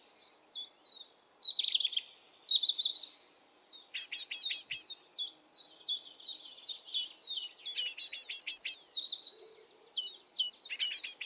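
A young great tit gives high, thin squeaky chirps mixed with bursts of harsh, buzzy hissing notes, repeated in quick clusters of four or five.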